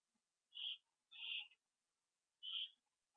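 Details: Owls returning to their nest on the evening of 27 September 2011, 7:08 PM, on a live camera; three short, harsh, high-pitched calls, two close together then one after a pause, in an otherwise quiet setting.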